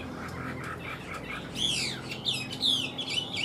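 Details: Chinese hwamei, a kept songbird of large build described as a strong singer, bursts into loud, rich warbling after a quiet start: fast sweeping whistles and slurred notes rising and falling, then several bright chirped phrases, over steady low hum.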